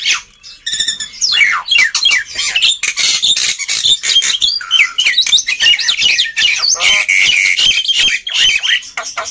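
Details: Black-winged myna chattering loudly as a lure for silent birds: a short rapid buzzy trill, then continuous mixed whistles, squeals and grating notes packed tightly together with barely a pause.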